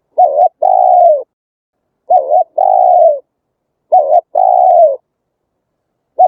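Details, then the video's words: Song of a spotted dove played to lure wild doves to traps in Vietnam: three phrases, each a short dipping coo followed at once by a long, slightly falling purring coo, separated by clear silences. "Tiếng chim cu gáy hay, đủ bài, bẫy loa hiệu quả, chim bổi nghe nhanh về, luyện bổi nhanh gáy nhất"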